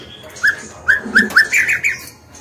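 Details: Singing female white-rumped shama used to prompt males to answer; a quick run of five or six short, rich whistled notes, each a brief upward slur, rising toward the end within two seconds.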